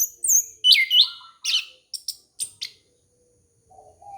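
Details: Orange-headed thrush song used to lure young birds: varied, sharp whistled phrases and high chirps follow one another rapidly, then a string of short, clipped notes, and a soft low whistle closes it after a gap.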